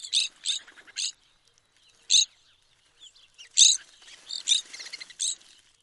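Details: Evening grosbeak, a stocky finch often found in flocks, gives loud, high, clipped chirps in irregular bursts, several close together, then a pause, then more, with quieter twittering among them.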